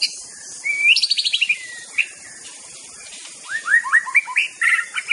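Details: White-rumped shama master song for provoking rival birds: a bright rising whistle breaks into a fast stuttering trill, followed after a pause by a string of loud, looping, downward-slurred whistles and chirps over a faint background hiss.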